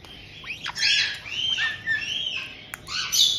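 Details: Pet white-bellied caiques in Hokkaido's Tokachi region, an established pair welcoming a newcomer aged just over two months: short rising whistles leading into continuous harsh, screechy calling with arched, wavering notes.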